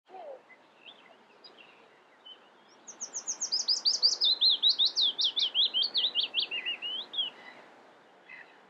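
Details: Willow warbler of the nominate subspecies singing in June 2020 at the Harchies marsh, Belgium: a sweet, soft cascade of about twenty whistled notes that descends steadily in pitch over four seconds, preceded by a few faint short calls, over low background hum.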